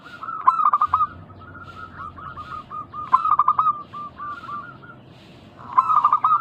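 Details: Local zebra doves calling as a lure to prompt replies from other doves. Loud clipped bursts of rapid notes recur about every two and a half seconds, each followed by trailing series of softer coos.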